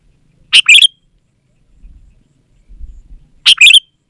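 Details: Lively Sooty-headed bulbul song used to lure wild bulbuls and to train reluctant or caged birds: two identical short, bright two-part chirping phrases about three seconds apart, with faint low rumble between.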